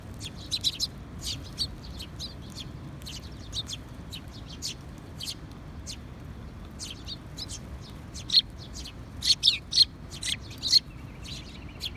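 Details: Sparrows recorded on 20 June 2021, giving short sharp chirps in irregular bursts, sparser early on and clustering into a louder quick series near the end, over a low steady rumble.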